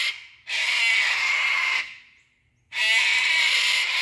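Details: One of a group of five cockatoos protecting their nest-hollow tree from a monitor lizard gives two long, harsh, rasping screeches, each over a second long, separated by a brief pause.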